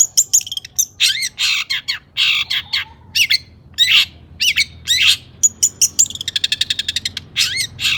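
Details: Long-tailed shrike, worked up and singing to set off other shrikes, gives loud harsh squawking bursts mixed with chirps, then a fast rattling trill of evenly spaced clicks near the end.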